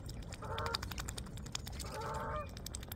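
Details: Two drawn-out, nasal goose honks about a second and a half apart, heard in the background as a swan feeds on seeds, over steady low rumble and scattered sharp clicks.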